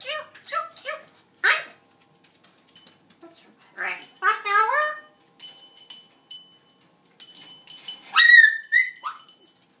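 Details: Indoor pet parrot chattering at the dogs: a run of short repeated syllables, then longer speech-like phrases with wavering tones, a few clicks in a pause, and a closing burst of loud rising whistled squawks.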